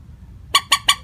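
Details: Common moorhen lure call for bird trapping, plain with no variation in tone: three abrupt, harsh, evenly spaced notes in quick succession over a low background hum.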